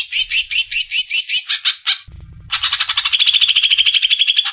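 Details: Energetic gacor song of a greater green leafbird from Indonesia: evenly repeated chattering notes about five per second, a brief gap, then a fast, dense trill of high, buzzy elements.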